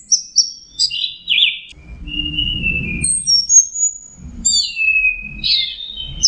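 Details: Orange-headed thrush song of varied whistles, a twisting slurred note, long level tones and falling glides, interrupted by bursts of low rumbling background noise.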